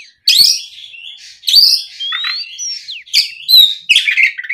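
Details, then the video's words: Afternoon song of an oriental magpie-robin, played to draw young birds into replying: a continuous medley of sweet whistles, sliding upward and downward notes and scratchy, buzzy phrases, high-pitched and delivered with barely any pause. "SUARA PIKAT BURUNG KACER GACOR NGEPLONG SORE, MEMANCING KACER BAHAN AGAR LEKAS BUNYI NYAUT & GACOR!"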